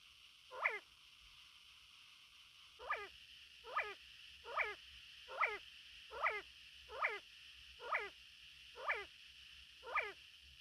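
A male Sand Partridge gives sharp, sweeping notes, repeated roughly once a second over a steady hiss.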